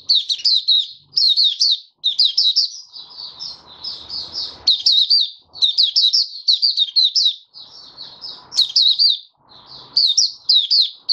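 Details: Caged oriental white-eye in full open song on the fifth day after monthly deworming, 20 January 2022. Repeated bursts of rapid, high, tinkling chirps are separated by short breaks, with soft rustling between some phrases.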